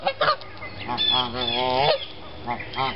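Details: Canada geese at Lake Lanier on a rainy Sunday morning after a cold, long winter, come to eat tossed peanuts: a long, nasal, wavering honk, then two shorter clipped honks, with quieter goose chatter underneath.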